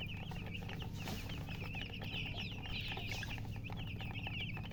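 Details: Just-born chicken chicks calling: many rapid, high-pitched peeps running continuously and overlapping, with a droning low hum beneath.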